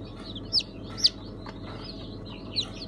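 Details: Newly hatched chicks from a mixed Sultan, Brahma, İspenç and Ameraucana batch, 1 September 2019: three loud, sharp falling peeps stand out over softer distant cheeping and a low hum.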